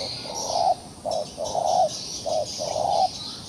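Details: Trapped wild pigeon still putting up a fight, giving a run of five low, hollow coo notes of uneven length, roughly two a second, with shrill insects droning behind.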